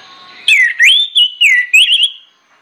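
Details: Loud orange-headed thrush lure song for prompting other birds: a connected series of six clear swooping whistles, ending in a quick rising flourish before falling silent.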